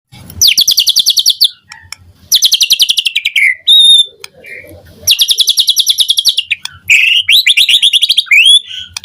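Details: White-rumped shama morning lure song, used to make other shamas respond and sing, full of varied phrases: loud rapid high trill bursts about two seconds long, separated by short whistled notes and brief pauses.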